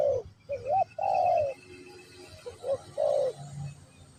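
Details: Spotted dove, Pesom or Kacuk type, cooing in a teaching session for a new bird; short note, a rising hooked coo and a long mellow coo, repeated once, then quieter background murmur.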